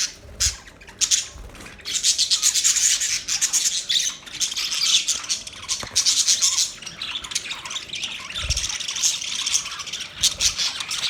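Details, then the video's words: Budgies chattering continuously, dense high warbling chirps and squawks in overlapping bursts, with a few low thumps. "Budgies chirping sounds"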